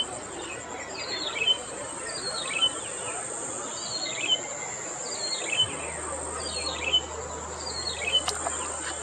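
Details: Yellow-bellied prinia song from Okhla Bird Sanctuary, where the pili piddi bird lives: seven brief scratchy falling phrases with a tonal end, regularly repeated every 1.2 seconds, set against a continuous shrill insect hum and a faint low rumble.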